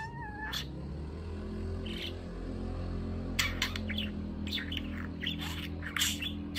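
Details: Pet male budgerigar, eight months old, chirping while practising words: an opening rising whistle, then scattered sharp chirps and chattering bursts over a steady low hum.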